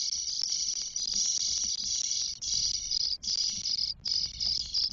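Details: Spotless Starling nest in Spain holding four chicks on day 12, 1 June 2022. A loud, continuous, buzzy, high-pitched rasping chorus is broken by a few short pauses near the end.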